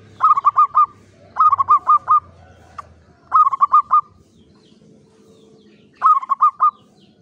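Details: A local Javanese zebra dove of the klowongan type, kept in a classic Mataraman cage, gives short phrases of four or five quick, clear, bubbling coos, repeated every one to three seconds against a quiet background.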